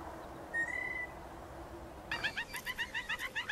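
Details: Blue Jay pump handle call, linked to courtship in spring and sometimes a low-intensity threat, given while bobbing the body. A single thin whistle, then about ten squeaky, bell-like notes evenly paced at roughly five per second.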